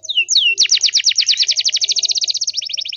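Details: Canary song intended to make other canaries sing back: two falling whistles open into a long, very fast, high rolling trill of repeated notes.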